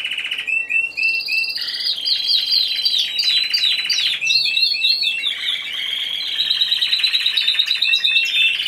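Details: A Timbrado Español canary entered singly in the C2 category of a November 2015 song competition. Clipped repeated notes lead into rapid downslurred whistles and continuous rolling trills that alternate between higher and lower pitch.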